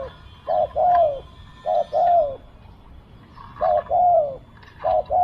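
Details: Spotted dove used in decoy luring gives mellow low coos in pairs: a brief note and then a drawn-out falling note, four pairs in quick succession, with soft background chirping.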